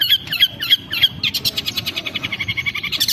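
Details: Long-tailed shrike lure recording meant to make a kept bird sing aggressively: four sharp whistled notes about a third of a second apart, then fast buzzy rattling chatter with higher squeaks at the end.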